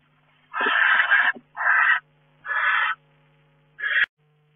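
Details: Harsh wheezing hisses from barn owls in a nest box in May with newly hatched young; four rasping bursts of varying length, the last one short and ending in a sharp click, with a faint steady hum underneath.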